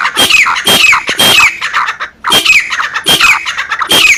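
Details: Female black francolin, the call said to excite males: grating squawks in two quick groups of three, each note with a short high piping start sliding down into a buzzy rasp.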